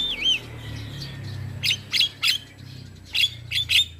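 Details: Young male black-winged myna singing, used for tutoring other mynas and calming stressed ones: a looping whistled phrase opens, then short bright chattering bursts come in pairs and triplets, with a low rumble beneath.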